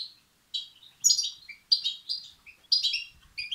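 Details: Begging European goldfinch chicks, a recording meant to excite males: short groups of bright, high chirps and thin squeaky notes, coming in bursts about every second.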